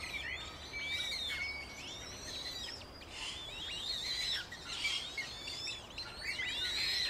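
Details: Eurasian coot family with five chicks, recorded in Beverwijk, the Netherlands. Continuous chorus of thin, high, arching squeaks and whistled peeps, with several callers overlapping and short louder bursts.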